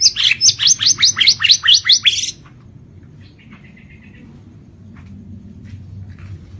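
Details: White-rumped shama of the Lampung type in lively full song: about two seconds of fast, evenly repeated sharp whistled notes, followed by quiet with a brief soft trill and faint distant ticks.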